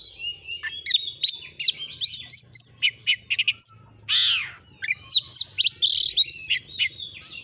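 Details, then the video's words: Oriental magpie-robin (kacer) singing hard on a clear training recording that is meant to provoke display. Quick whistled slurs and chips run densely together, broken by one loud harsh rasping note midway. "Masteran burung Kacer AUDIO JERNIH BUAT ANGKAT EMOSI AGAR CEPAT ON NGOBRA,Kacer gacor"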